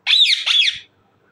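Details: Indian ringneck parakeet letting out a single loud, grating squawk in two joined, harsh bursts lasting about three-quarters of a second, then silence.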